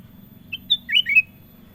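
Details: Ruby-throated bulbul (kutilang emas) singing in energetic gacor style: a short whistled note, a clearer higher whistle, then a quick rolling run of warbled, bubbly notes, all within under a second, against quiet low hum.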